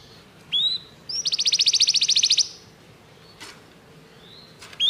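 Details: Canary song for training: a short rising whistle, then a loud fast pulsing trill of about a second, followed by quiet hiss and faint rising notes over low background noise.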